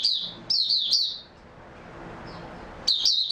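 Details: Oriental white-eye recorded 3 March 2022 after a good night's sleep, singing two bursts of quick, high twittering notes that warble up and down, separated by a quiet pause with faint background hum.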